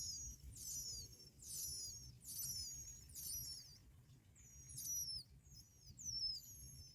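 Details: Bar-winged prinia nestlings calling while both parents deliver black locusts; clusters of shrill, high whistled notes with quick downward and wavering slides, repeated in rapid bursts, then a looser run of squeaks.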